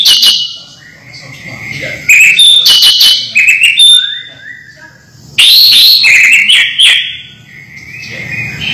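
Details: A captive house-kept orange-headed thrush, used to lure lazy thrushes into singing, sings loud, varied phrases of whistles, trills and sharp chirps in quick bursts with brief pauses, high and bright throughout.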